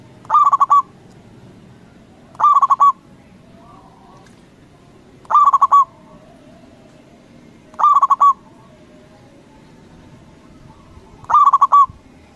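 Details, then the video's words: Local zebra dove with a big voice, calling to make other doves answer quickly: five short bursts of fast, bubbling cooing notes, spaced roughly every three seconds, low steady background noise. "Perkutut lokal Gacor Suara BESAR bikin Cepat Emosi Lawan Auto Nyaut Seketika"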